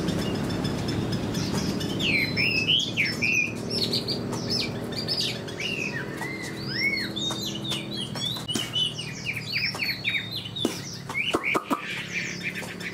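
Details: Fan-tailed Chinese hwamei kept in a cage, shown with an eagle-wing display and praised as a fighter, delivers varied song: curling whistled slurs, twisting high phrases and sharp clicking chirps, with a low hum behind.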